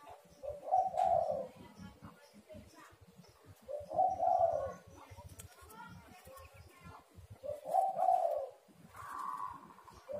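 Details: Spotted dove calls meant to lure doves into calling: mellow coo phrases about every three to four seconds over a busy, noisy background with rustling and faint chatter.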